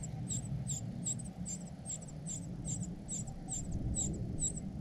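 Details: A cuckoo chick fed by foster parents calls with high, piercing squeaks about three times a second against constant low wind-like noise.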